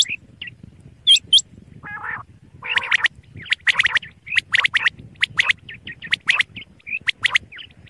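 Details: A male common quail calls with sharp, liquid notes bunched in quick groups, repeated steadily, with a few lower nasal notes between them and faint background hiss.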